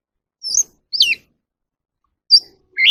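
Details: Oriental magpie-robin, a wild bird, singing in the evening: four sparse, sharp whistled notes, two falling steeply, with long silent gaps between them.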